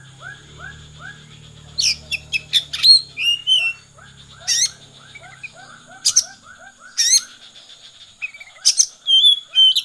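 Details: Oriental magpie-robin in 'konslet' style song, with loud clusters of harsh, high chattering notes and slurred whistles at irregular intervals, while soft, arched lower notes repeat steadily underneath and a faint low hum fades early.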